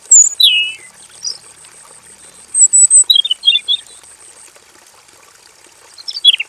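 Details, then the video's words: Robin singing in a simple aviary, varied song: a falling whistled slur, then a run of quick chirps, and a descending whistle at the end, with a thin steady hiss behind. "KICAU SUARA MASTERAN BURUNG ROBIN GACOR FULL VARIASI DI KANDANG AVIARY SEDERHANA"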